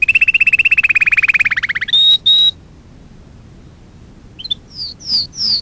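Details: Canary song from a lesson recording used to train young canaries: a long rapid rolling trill that slowly falls, two short flat whistles, a pause, then three slurred downward whistles.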